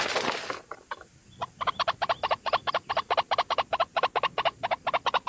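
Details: Lure recording of a lone White-breasted waterhen: a burst of rushing noise, a brief lull, then a quickening run of hoarse pulsed notes roughly three per second.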